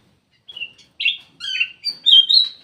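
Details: Lure call of a black-crested bulbul: a quick sequence of bright whistled chirps, each short and slightly falling, growing louder and ending in a warbled double phrase.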